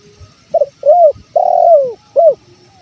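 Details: Single calling phrase of a male spotted dove in Indonesia, used for luring: a brief stuttered note, a rising-falling coo, a long coo that slides lower, and a short final coo, with a faint insect drone behind.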